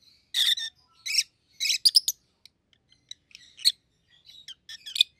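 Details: A pair of rosy-faced lovebirds, one yellow and one green, both red-headed: sharp, high chirping bursts in quick groups, then scattered shorter tweets and squeaks.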